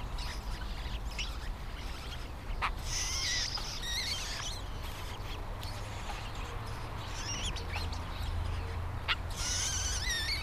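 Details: A Scrub Jay pair raising three chicks in a nest tree in 2017 give harsh, raspy calls in short bursts, loudest near the start and end, over a steady low rumble.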